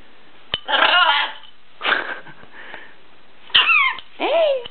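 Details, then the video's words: Pet macaw indoors giving a series of harsh, raspy squawks and a couple of bending, hoarse screeches, separated by short pauses, with light tapping noises and a quiet room. "Ара говорит"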